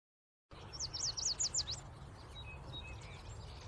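A Yellow warbler sings a quick, bright phrase of about seven high, sweet slurred notes over roughly a second, ending abruptly; faint distant chirps and low background hum follow.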